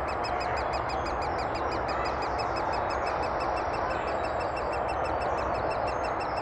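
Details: Great spotted woodpeckers feed chicks in Thurrock woods, 20 May 2014, captured on a FinePix HS50EXR; a long unbroken run of fast, evenly spaced high clicking notes, with faint thin whistles partway through, over steady hiss.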